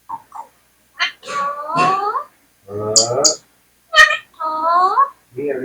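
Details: Talking Indian parrot imitating human words indoors: rapid string of raspy, speech-like syllables with bright clicks and sliding harmonic tones, delivered in short bursts with brief pauses.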